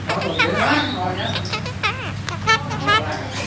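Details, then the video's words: A talkative pet red-breasted parakeet chatters in speech-like phrases, with wavering, sliding voiced syllables and a few higher notes, over a steady low engine hum. "Chú vẹt ngực Hồng nói nhiều"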